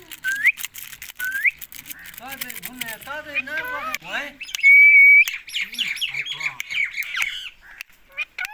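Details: Indian ringneck parakeet giving rising whistled notes, rapid harmonic chattering, and a long steady loud whistle near the middle, followed by busy mixed calls.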